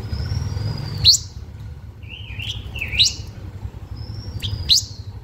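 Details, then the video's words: Blue-winged minla singing to lure other birds: long, thin, level whistles near the top of its range, cut by sharp rising upsweeps about every two seconds, with a short warbled phrase between them, over a low steady rumble. "Chim khướu lùn cánh xanh hót mồi cực đỉnh"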